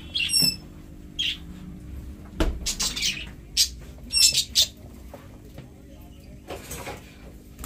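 Budgerigars give short, sharp high chirps and scratchy chatter in scattered bursts, with soft clatter and thumps of cage movement between.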